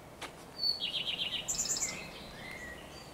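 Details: Song of a Common Redstart, 12 May 2023, with a blackbird nearby: one high clear note followed by a rapid descending run of repeated notes and a very high twittering end, then soft lower whistles in the background.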